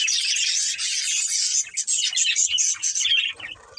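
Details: Budgerigars from a breeding pair warbling in a steady, dense stream of high, buzzy chatter that breaks into short clipped chirps before trailing off at the end.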